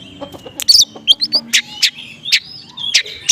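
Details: Oriental magpie-robin in konslet style with small-bird material, used to lure other magpie-robins into answering; loud harsh chip notes repeated roughly every third of a second, with thin high whistles between them.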